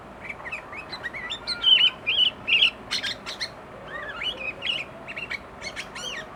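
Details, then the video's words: Agitated sooty-headed bulbul pouring out filler song: scattered short chirps and bubbly whistled notes, a few louder curved whistles, irregularly spaced, over constant background hiss. "Burung kutilang emosi muntahin isian"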